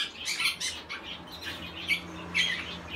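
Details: Barn owl chick recorded on 5 August 2017, giving short, raspy, breathy screeches repeated about every half second, with a low steady hum underneath.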